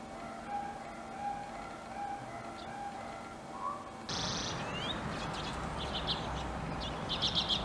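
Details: A few Icelandic redpolls in Akureyri, Iceland, 2016, give quick, high chirping calls in short bursts near the end, over a steady hiss; earlier, faint sustained tones sound like music or hum.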